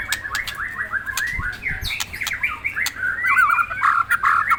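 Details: Agitated white-rumped shama, deliberately provoked, delivering a nonstop rich warble of rapid rising and falling slurs, growing louder and more intense toward the end, with sharp clicks mixed in.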